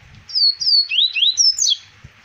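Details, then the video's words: Double-collared seedeater singing in Arapiraca, Alagoas, Brazil, 2020: clear whistled notes slurring downward, then two rising slurred whistles and a final bright downslurred note, all in one quick phrase. "CoLEiro Zidane 2020 Arapiraca Alagoas"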